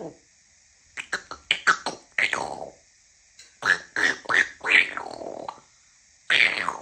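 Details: African grey parrot making a rapid series of clicks, pops and breathy, speech-like syllables in two bursts, then a final harsh, raspy sound after a pause.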